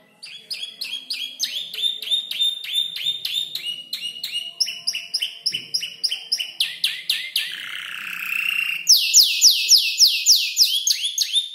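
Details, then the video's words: Canary aged about five months, still learning to order its song from mimicked birds like bar-winged prinia and olive-backed tailorbird; long sequence of rapid chirped syllables changing type several times, ending with loud buzzy high notes. "Kicau burung kenari gacor noto lagu U 5 bulan"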